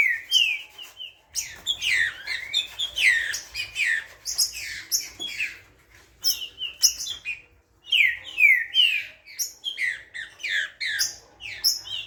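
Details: Green-winged saltator, described as fiery, singing loud, rich whistled phrases that slur down and up, delivered in quick bursts with brief pauses, some sharp higher notes mixed in; a quiet indoor background.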